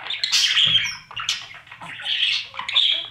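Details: Baby budgies in a breeding nest box, fed by parents, recorded from a camera inside. Harsh hissing squawks swell and fade in two long waves, with short chirps between them.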